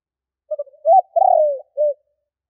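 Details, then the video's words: Spotted dove giving a single kích bổi call phrase: faint quick notes, a clear coo, a drawn-out descending coo and a brief closing note, with no background sound. "Cu gáy Kích bổi / Tiếng cu gáy gọi bôi"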